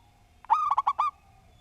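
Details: Song of a local zebra dove, a persistent singer with a neatly structured voice. A single phrase of five or six rapid, rounded coos runs together in a rolling, slightly rising-and-falling trill against a quiet background.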